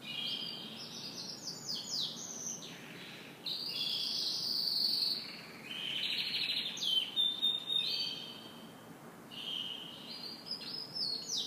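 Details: Canary morning song: varied high trills and quick sweeping notes in bursts separated by brief pauses, with some buzzy, rattling passages and rolling phrases throughout.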